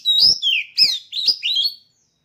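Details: Oriental magpie-robin, a caged bird prepared for singing contests, gives four clear slurred whistles, mostly starting high and sliding downward, spaced about half a second apart.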